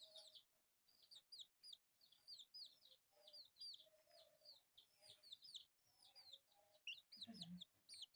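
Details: Group of four colourful pet chicks at play, chirping high, falling peeps in quick overlapping runs; a short low thump is heard near the end.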